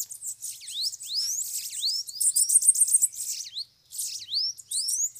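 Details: Loose bananaquits crowd around a cage at a trapping spot. Many overlapping rising, slurred high notes and quick twittering come from several birds at once, with a brief silent gap near the end.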